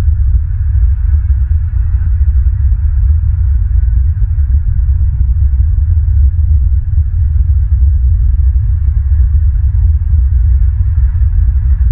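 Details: Steady low rumble and throbbing hum, like wind buffeting a microphone, with no animal voice heard.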